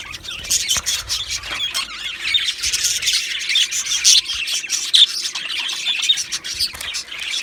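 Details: Two male budgerigars squawk and chirp in an unbroken stream, harsh squeaky notes mixed with quick warbling twitters and a few sharper high peaks.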